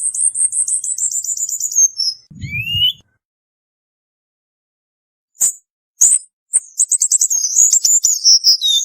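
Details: Cuban bullfinch in dense 'tembakan rapat' song, a tutoring recording: a rapid, high, buzzy trill of repeated notes, a brief rising whistle, a long silence, then sharp clicks and another fast, high trill.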